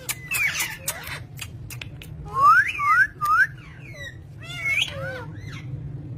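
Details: Pet green ringneck parrot making clicks, then a few rising whistled notes and later a wavering whistle with softer chirps, over a constant low hum.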